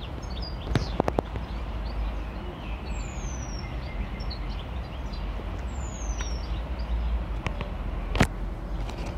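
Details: Near its nest in Parque Manzanares Sur, a Eurasian penduline tit preens and calls: two thin, descending high whistles about three seconds apart, set against heavy traffic rumble with several brief knocks and clicks.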